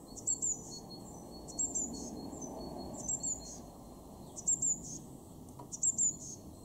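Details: Eurasian blue tit calling in a Weener garden, East Frisia, Germany, February 2023: five bursts of sharp, high, slightly descending double notes, spaced about a second apart, with a quiet background hum.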